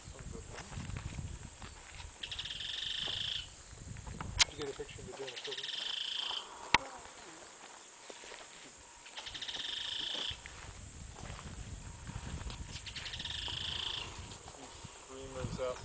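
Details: Black-capped donacobius in Colombia: repeated bursts of bright, harsh, stacked call notes lasting about a second each, recurring every few seconds, with a steady high insect hum throughout and faint low rumbling between bursts.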